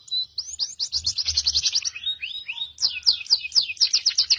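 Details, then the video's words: Masteran tutor recording featuring cucak jenggot, cililin and canary: rapid series of high, steeply descending whistled sweeps, about four per second, then a slower run of buzzy downslurs and another fast falling sequence, with faint low thumps. "masteran cucak jenggot cililin kenari"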